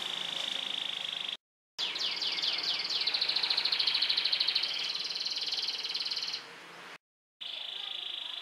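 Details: Yellow canary sunning outside, singing: steady high buzzy trills, a burst of quick descending sweeps and a long rattling roll, broken by two brief silent gaps.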